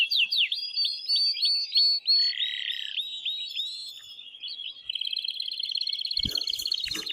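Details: Excited male canary singing to arouse the female for mating: rapid looping whistled notes, then an even trilled note run, a softer fading passage and a long bright buzzing roll, with a few faint clicks.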